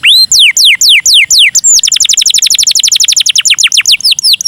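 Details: Canary song in cengkok mewah style, meant to prompt other canaries to sing: a few slow, drawn-out descending whistles, then a fast, even trill of short repeated syllables, ending in spaced slurred notes.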